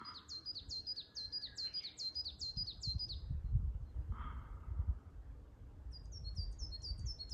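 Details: Coal tit singing from the top of a Norway spruce at Asahiyama, Shiga Kogen, Yamanouchi, Nagano, Japan, 1520 m elevation, 29 May 2022: a fast series of high, thin two-note phrases, a pause, then another series, over low rumbling background noise.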